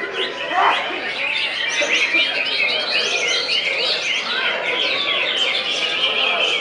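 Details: Contest greater green leafbird in full song at a prestigious event: rapid chains of high, looping whistled notes and chirps, rolling on without a pause, with other competing birds singing throughout.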